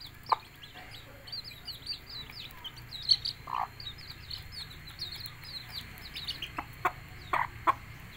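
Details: Mother hen calling her brood to eat: scattered short, abrupt clucks, a few paired, spread across the stretch over continuous high, twittering chick peeps.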